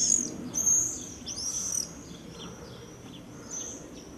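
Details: Common swifts in Soest on 5 July 2009: shrill, high, buzzy screams in short bursts, several overlapping during the first two seconds, then fainter and sparser, over a low background rumble.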